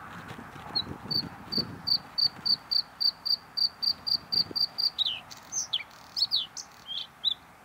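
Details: A Bluethroat sings about fifteen sharp, high ticking notes that speed up slightly, then breaks into varied whistled and buzzy sweeps, over a low background rumble; it lives in meadows and thickets near people.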